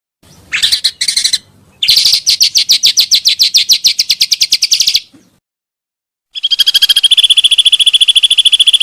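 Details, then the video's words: Pancawarna bird call used for luring birds: rapid high trills of evenly spaced notes in abrupt cut bursts, a silent gap, then a steady high whistle with fast pulsing repeats. "suara burung pancawarna sangat ampuh untuk pikat dan isian"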